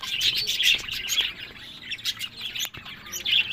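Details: Pet budgerigars giving dense, warbling chirps and rapid twittering, high-pitched and continuous, with short clicks and scratchy notes mixed in; several birds seem to call at once.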